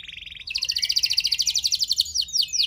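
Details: Canary song meant to trigger other canaries to reply: a short low buzzy note, then a sustained, very fast, even trill of bright repeated notes for about two seconds, finishing with a few rising chirps.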